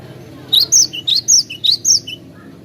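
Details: Melodious cinereous tit song for luring birds, bright high whistled notes paired with a lower dipping note, the two-part phrase repeated rapidly four times over steady low background hum.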